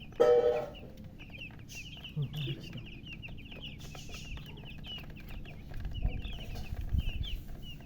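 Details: Newly hatched domestic chicks, just born, peeping together: a brief loud harmonic sound at the start, then a steady run of short, high, downward-slurred peeps repeated several times a second over a low constant hum and scattered clicks.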